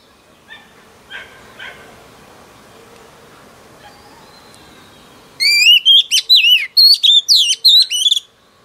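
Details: Female oriental magpie-robin, newly wild-caught, singing to stir up males: faint scattered chirps and noise for five seconds, then a loud burst of rapid whistled, warbling phrases with sharp up-and-down notes near the end.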